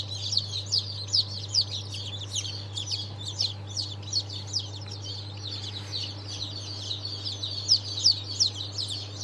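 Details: Fresh hatch of Sultan, Fizan and İspenç chicks calling together: a dense chorus of sharp, high falling peeps, repeated rapidly and unevenly, with a constant low hum beneath.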